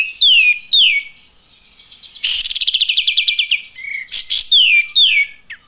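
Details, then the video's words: An olive-winged bulbul sings bright, downslurred whistled notes, broken by a fast chattering run of about a dozen quick notes, then more falling whistles. "Olive Winged Bulbul Birds chirping"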